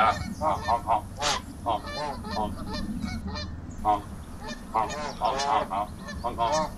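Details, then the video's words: A gang of geese met while walking a trail, making loud vocal sounds: repeated harsh, nasal honks in quick overlapping bursts from several birds, some rising and strained, with steady low rumbling background noise throughout. "Crazy goose sounds"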